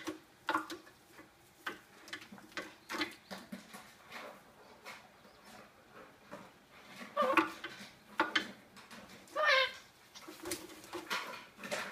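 Golden parakeet giving a few harsh, grating squawks at irregular moments, the loudest near the end, among indoor clatter and faint voices.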